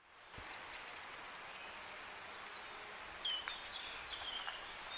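Short-toed Treecreeper singing a short, high, slightly bumpy strophe of thin notes lasting about a second, followed by fainter high notes and soft background hiss.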